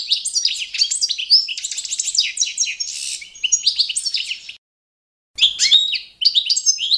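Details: Balkan goldfinch, Carduelis carduelis balcanica, singing training song to competition standard: rapid twittering with buzzy rattles and a hoarse burst, a pause of under a second, then more chirping phrases.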